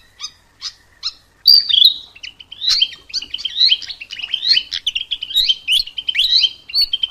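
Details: Mugimaki flycatcher singing in the wild: a lively run of high, thin twitters and squeaky chirps, a few short notes first, then a continuous rapid jumble of varied phrases.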